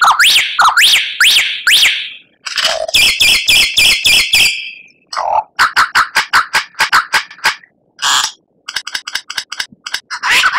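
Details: Murai batu, the white-rumped shama, in a masteran full of kretekan and tembakan for captive birds: repeated rising whistled sweeps, fast series of clipped notes, scattered chips and separate short bursts with pauses.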